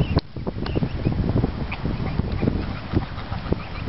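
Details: Geese by the River Thames at Walton-on-Thames in the UK, with short, harsh honks scattered through the clip against steady low-pitched ambient noise.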